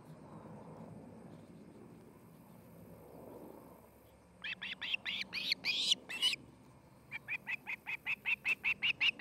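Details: Osprey at a nest near Charlo, Montana: a few seconds of low hum, then sudden loud, harsh chirping, a short pause, and a regular series of high piping calls.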